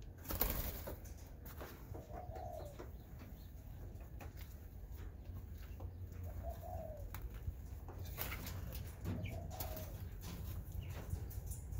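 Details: A paired spotted dove gives soft, low coos about every three to four seconds, over a steady low rumble with scattered clicks and flutters.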